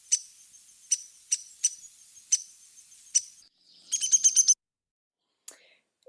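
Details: Downy Woodpecker, a small resident woodpecker, recorded song played back: sharp, high single pik notes spaced irregularly about half a second apart, then a quick rattling run of roughly eight notes, and a final lone note after a pause.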